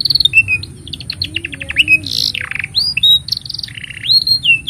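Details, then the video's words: Singing canary used to teach young birds: quick chattering notes, slurred whistles, a burry buzz, and a long even trill ending in rising swoops. "Kenari Gacor Panjang Ini Bagus Untuk Masteran Kenari Paud Dan Pancingan Kenari Bisu"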